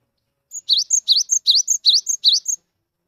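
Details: Cinereous tit, a wild-natured 'wingko' bird that sings freely, used to make mute tits join in: six evenly spaced, high two-part phrases, a steady note then an upswept slur, lasting about two seconds.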